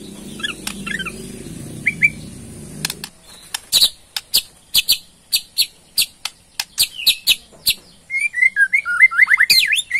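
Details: Rattling ketrekan from a Borneo white-rumped shama, meant to trigger a response: after a few seconds of low background noise, evenly spaced sharp clicks, then a burst of fast twisting whistles.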